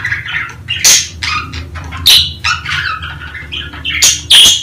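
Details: Budgerigars vocalizing during breeding season, to spur females to lay eggs: a mix of warbled chirps and sharp, clicking squawks at irregular intervals, with a steady low hum behind them.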